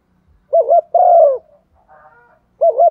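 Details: Female spotted dove giving the 'thúc gù' and 'gáy gọi' calling coo used to stir decoy birds: a quick wavering double note, then a longer drawn coo that sinks at the end. A softer faint coo sits between, and a new phrase starts.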